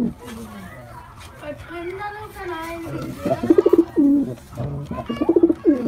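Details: White male pigeon performing: a low murmuring start, then bursts of throbbing, pulsed coos later in the clip, with a background hum.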